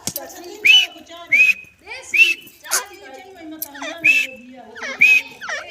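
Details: Grey francolin (teetar), possibly female, giving shrill, rising whistled notes about once a second, with lower murmuring sounds underneath.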